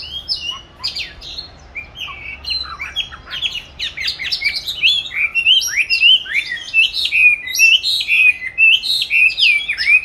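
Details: Oriental magpie-robin kept caged since July 2020, placed in an ideal spot to practise singing, recorded March 2021: sustained energetic song of dense warbled and whistled notes, growing fuller and louder.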